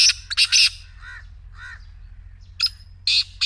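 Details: Black francolin giving loud, rasping, broad notes in quick clusters at the start and end. Between them are softer, arched, ringing calls from other birds and a faint low hum.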